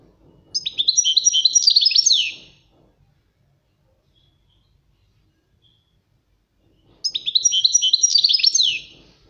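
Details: European goldfinch song as a training recording for teaching: two loud bursts of about two seconds each, quick twittering and tinkling high notes with buzzy slurs, separated by a long silent pause; faint low murmurs underneath.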